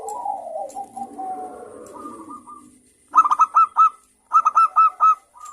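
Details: Local zebra dove, a keen singer with a crystal voice, used to prompt other doves to call: a descending low rolling trill fades out, then two phrases of five or six quick, ringing cooing notes follow a short silence.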